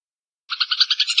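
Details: Eurasian tree sparrow song meant for tutoring songbirds: a short burst of about eight quick, buzzy chirps after a moment of silence, clean and close.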